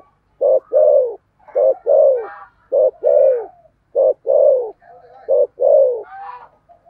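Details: Spotted dove used as a decoy, 'thổ' voice style. Its phrases repeat quickly: a quick double hoot, then a drawn-out falling coo, about six phrases in all. Faint higher chirps come in between.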